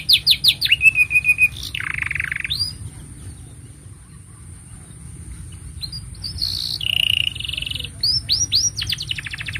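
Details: Canary singing a master song for young and silent canaries: a loud rapid trill and a buzzy drop at the start, a quieter stretch, then renewed whistled sweeps, a buzzy rattle and fast trills toward the end over faint steady hum.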